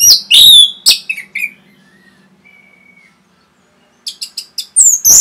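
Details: Rapid Orange-headed thrush song meant to stir other birds: loud, piercing whistled notes and slurred chatter at the start, a faint thin whistle in the pause, then a quick burst of clipped high notes and shrill whistles.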